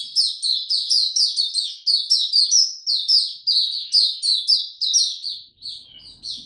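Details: Caged white-eye singing in warm, very humid weather: a fast, continuous run of high, thin twittering notes with sweeping chirps and trills, steady with short breaks, ending in softer scattered notes.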